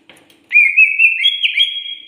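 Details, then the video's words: A greater green leafbird in full song gives a long, clear whistle lasting over a second and a half. It wavers slightly, then steps up to a higher held note. "sudah gacorkah burung cucak ijo kalian"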